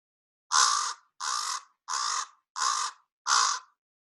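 Common Raven giving five harsh, throaty croaks, each about half a second long, repeated at a steady pace. No other sounds.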